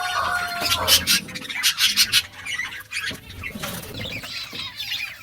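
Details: Budgerigars chirping while eating food: dense, scratchy high chatter in quick irregular bursts, with soft wing flutters and rustling throughout.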